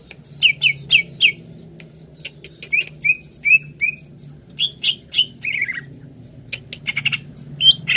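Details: Greater green leafbird song used to stimulate a kept leafbird to sing: varied chirps and short whistled notes in loose groups, one falling slurred phrase, and sharp clicks scattered through.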